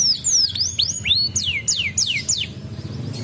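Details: A canary's song for drawing answers from other canaries, made of loud, clear, steeply falling whistled sweeps repeated in a loose series, with some fainter notes between.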